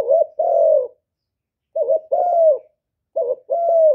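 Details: Spotted dove cooing, recorded cleanly for luring wild doves: short two-note stutter followed by a long, low, slightly falling coo, phrase repeated about every one and a half seconds in quiet surroundings.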